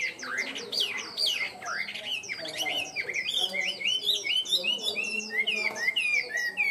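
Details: Chinese hwamei, tame and kept captive, singing: loud, steeply rising whistles early, then a fast chattering cascade of short, bright, repeated looping notes.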